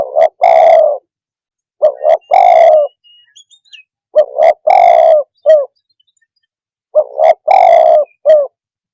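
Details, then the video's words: Spotted dove calling to quickly provoke other birds: loud, overdriven cooing phrases, each a short note, a long rolling coo and a clipped final note, repeated three times about every two and a half seconds, with faint chirps in a gap. "Suara kicau Burung TEKUKUR cepat membuat Emosi burung"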